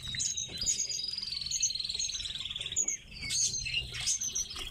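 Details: Captive pet tits call with thin, high tweets and a long buzzy trill, then brief sharp chirps, with faint rustling throughout.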